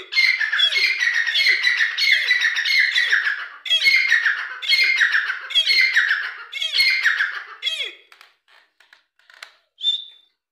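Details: Grey francolin giving a loud, harsh, grating series of repeated phrases, roughly one per second, each with a low downward swoop. The calls fade after eight seconds into scattered faint notes and a final short whistle.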